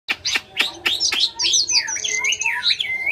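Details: Chinese hwamei singing: a run of sharp, loud whistled down-slurs, then fluid looping whistles rising and falling between high phrases, sung continuously without pause.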